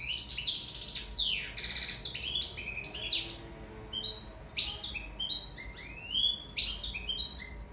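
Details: Sicilian goldfinch in love giving a lively song: an opening of loud tumbling chirps and buzzy slurs, then sparser clipped tweets and upward-sweeping notes; faint steady hum in background.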